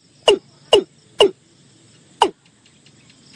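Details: Watercock call, presented as used for bird hunting: short, hollow, downward-sliding notes, three about half a second apart, then two more after a pause, over a faint background hum.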